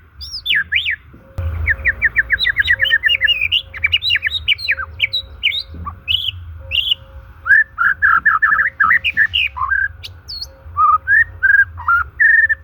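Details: White-rumped shama singing, meant to stimulate shamas that are silent or stressed: a rapid rattling run of chirps, then varied whistles and slurred notes, with a steady tone and hum running underneath.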